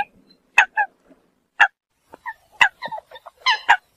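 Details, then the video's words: Eurasian coot calling to gather the flock, giving abrupt honking notes at irregular intervals, some in quick doubled or tripled bursts, against a quiet background. "Tiếng sâm cầm gọi đàn"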